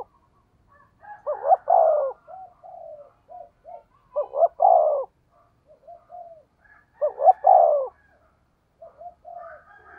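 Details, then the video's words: In 'thúc gù' style, a decoy spotted dove with a 'thổ' voice repeats a pattern of quiet lead-in hoots, a doubled note and a strong descending coo, about every three seconds, three phrases in all. "cu gáy giọng thổ THÚC GÙ bài bản"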